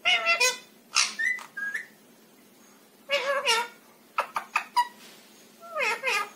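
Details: Cute talking ringneck parakeet kept as a pet, uttering several clipped mimicked words and short whistled syllables in bursts separated by brief pauses, some phrases sliding downward in pitch.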